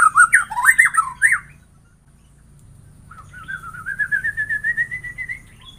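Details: White-rumped shama song: a burst of rapid, loud whistled phrases swooping up and down, a short pause, then one long, gently rising warbled trill with steady pulses. The recording is played to get other shamas singing.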